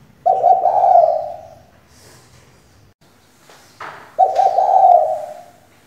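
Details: Spotted dove hen used as a lure for singing males, uttering two drawn-out, husky coos separated by about three seconds of near quiet with a faint rustle and a distant twitter between them.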